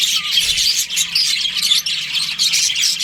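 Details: Budgerigars in a breeding colony during breeding season, kept as pets: dense, continuous high chirping and warbling chatter from many birds at once, with no pauses and a short falling squeak early on.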